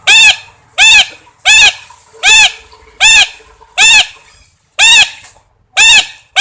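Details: A parrot squawks again and again, nine loud, rasping, arch-shaped calls at an uneven pace of roughly one per second or faster.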